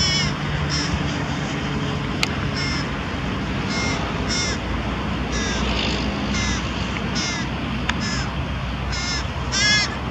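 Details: Carrion crow carrying prey and feeding young near Diemerbos on 22 July 2020; short, harsh, nasal caws come in quick bursts of about a dozen, roughly every half to one second, over a steady low rumble of background noise.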